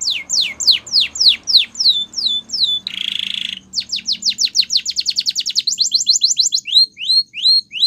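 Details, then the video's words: Spanish Timbrado canary training song: repeated descending whistles, a buzzy trill, a long fast series of falling notes, then spaced rising-falling whistles. "Canary's Training Song"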